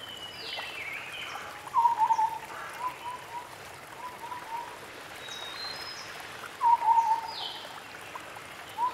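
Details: White-browed scimitar babbler (Pomatorhinus schisticeps) calling in forest: two short bursts of mellow, hollow hoots about five seconds apart, with faint higher chirps from other birds and a soft stream murmur.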